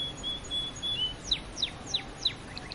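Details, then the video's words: Canary singing: a few sustained high whistles followed by a series of four quick descending sweeps about a third of a second apart, then short higher chirps, over steady background hiss. "Canary Birds"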